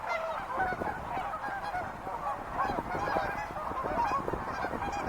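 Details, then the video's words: A crowd of wild geese giving honking calls, with harsh overlapping notes and a few clearer upward-sliding honks standing out from the constant chatter. "sounds of wild geese"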